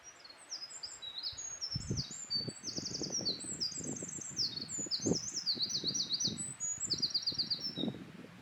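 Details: A Eurasian wren (Troglodytes troglodytes), a wild bird, pours out a long, loud, very high song of rapid trills and sharp ringing notes, running without pause over a low rumble of running water.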